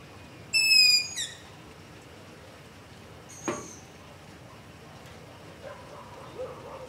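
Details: Long-eared owl begging at night beside a house, recorded with ZOOM H5 and LOM Usi Pro: one loud, thin, wheezy screech, followed by a fainter high note and a brief dull thump, then quiet.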